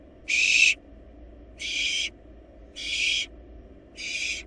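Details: Barn owl young in a wild nest box, feeding on a rabbit, utter four loud, breathy hissing screeches of under half a second, spaced unevenly over low steady hum.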